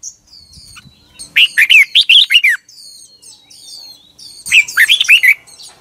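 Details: Red-whiskered bulbul with a fiery morning lure song for bird training: a phrase of about seven bright, arching whistled notes, a pause with soft high twitters, then another quick burst.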